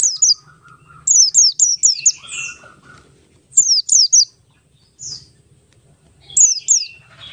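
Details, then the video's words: Ngalas-style song of a Buxtoni Oriental white-eye, a lure to make other white-eyes sing: quick runs of three or four high, sharply falling whistles separated by brief gaps, with a few softer lower notes between. "pleci Buxtoni ngalas 12345 pancingan pleci bahan agar cepat bunyi"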